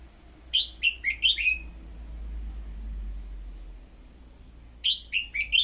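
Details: Red-whiskered bulbul decoy song meant to stimulate other birds: two phrases of four crisp, descending whistled notes, separated by a pause filled with low rumbling noise and a steady high insect trill.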